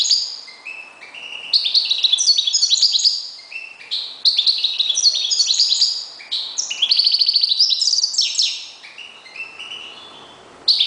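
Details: Kept European goldfinch (jilguero), a reclamo bird, pouring out an almost continuous stream of jingling twitters, liquid trills and buzzy notes, with only brief gaps before a final short burst.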